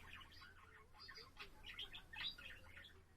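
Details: Pet budgerigar on 7 April giving a soft, blurred chattering warble of mumbled chirps and a couple of sharper squeaks, fairly quiet against low room hum.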